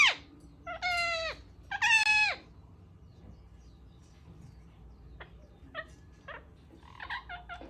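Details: Pet ringneck (rose-ringed) parakeet making odd sounds indoors: two drawn-out, nasal, meow-like calls, each about half a second, then a scatter of short, sharp chirps and clicks in an otherwise quiet room.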